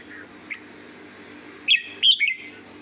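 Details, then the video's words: Red-whiskered bulbul singing a short sweet phrase: after quiet background, a quick burst of three bright whistled notes, sliding and slurred, near the end, with one faint chirp earlier. "chào mào hót giọng hót ngọt lịm"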